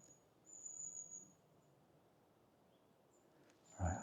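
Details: Long-tailed tits at the edge of a woodland clearing give a continuous series of thin, very high, drawn-out calls, one long note and shorter ones later, over quiet outdoor hiss; a handling thump closes.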